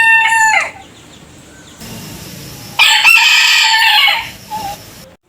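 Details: Crowing roosters, one after another in a varied collection: a short cut-off end of a crow, a low rustling lull, then a strong, rasping cock-a-doodle-doo of about a second and a half with a soft trailing note.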